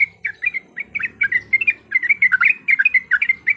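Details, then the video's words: Yellow-vented bulbul in fighting song used as a lure: quick, slurred, warbling chirps, some rising and some falling, running nearly continuously. "PANCINGAN BIKIN TRUCUKAN LANGSUNG BUNYI IKUT TARUNG GACOR"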